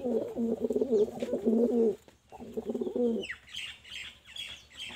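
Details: Pigeon cooing indoors, a low throaty burbling coo in two bursts of about two seconds each, followed by higher faint chirps.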